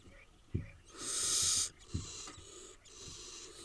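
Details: Eight wild barn owl nestlings in Israel. One strong, drawn-out screechy hiss lasts about half a second, followed by a softer, weaker rasp and a few low bumps.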